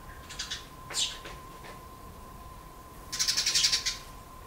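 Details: Fledgling Eurasian tree sparrows on their first day out of the nest, running toward their father: a few scattered high chirps, then a rapid burst of about eight sharp, high chirps near the end. A faint steady tone runs underneath.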